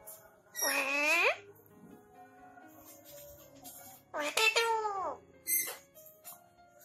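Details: Pet talking parrot in India uttering two drawn-out, speech-like phrases with rich harmonics, then a short sharp squawk, with low household background sound.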